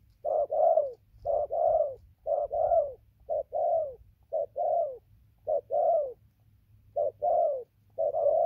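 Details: Decoy spotted dove calling without pause: soft, hollow two-part coos, each a brief note followed by a drawn-out downward-sliding one, roughly one pair per second over quiet low background rumble.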